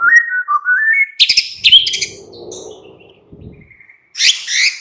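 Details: White-rumped shama singing in the afternoon, used to provoke a captive bird into song: a whistled phrase rising in steps, then harsh buzzy bursts, a low rustling pause and a loud final flourish.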